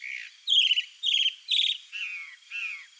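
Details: A male Chalk-browed Mockingbird showing off to a female sings six varied, harsh, buzzy phrases about half a second apart, some clear and sliding downward, others rich and chattering.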